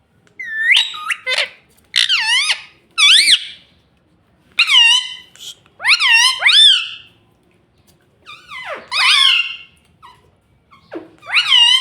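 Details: A talking pet ringneck parrot chatters steadily indoors, run after run of loud, looping, speech-like squawks and whistles with short pauses between phrases.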